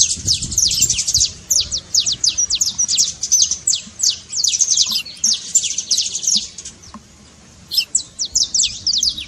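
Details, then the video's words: Saffron finch trilling to encourage a reluctant bird to sing: a steady stream of rapid, high, down-slurred notes for about seven seconds, a pause, then another burst. "trincado pra foguea seu canário frio"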